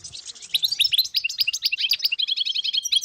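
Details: Wild European goldfinches in a large group in northern Morocco, 2022, giving quick chirpy, liquid twitters in a steady tumbling stream of short bright notes.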